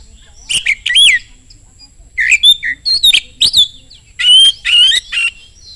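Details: Fast, piercing song of an Oriental magpie-robin played to provoke others of its kind to sing back; clustered whistled upslurs and scratchy buzzes in three groups with brief gaps.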